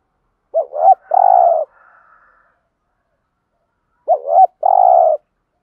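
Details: Spotted dove 'thúc gù' lure song meant to provoke wild birds into singing: two phrases some three and a half seconds apart, each a quick double coo followed by a long mellow low note, with a faint murmur after the first.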